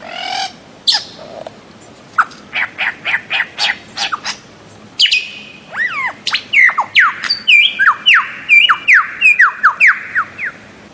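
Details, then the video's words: Bird-of-paradise calling: a string of short, evenly spaced clicking notes, then a long series of loud, falling whistled slurs in quick succession. "Bird of Paradise Calling Sound"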